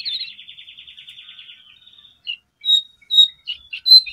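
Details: A wild Lesser Shortwing at a regular haunt, drawn in with a lure call, gives a fast, high, slightly falling trill lasting almost two seconds, then a few separate sharp high chirps.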